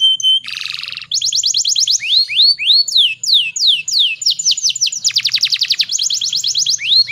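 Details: Female canary in heat singing as a lure for males: a short whistle and buzzy burst, then quick runs of high falling and rising notes and dense rolling trills.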